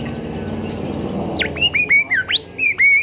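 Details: Golden whistler, called kancilan emas or bimoli, singing as a tutor recording for caged songbirds: after a low murmur, a lively run of clear whistled notes, some slurring downward, others rising, delivered in quick succession.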